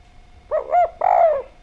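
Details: Spotted dove (derkuku) lure song, clear-voiced and actively singing. Two low coos: a short rising-falling note, then a longer drawn coo that slides downward.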